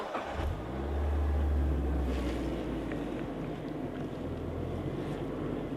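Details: A motor vehicle engine hums low and swells as it revs during a safari drive, with faint background rustling and no animal calls.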